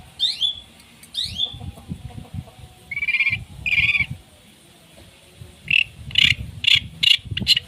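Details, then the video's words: Long-tailed shrike in full varied song, meant as a model for training competition songbirds: two steep descending sweeps, then buzzy drawn-out notes and a quick series of sharp chirps over low rumbling background noise. "cendet gacor full tembakan"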